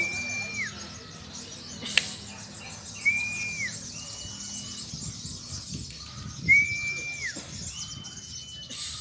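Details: Sogon songbird of the Casper type performing at a bird singing competition meet in Purwakarta, Indonesia: clear whistled notes that hold level then slur downward, repeated every few seconds, with faint background hiss and a sharp click.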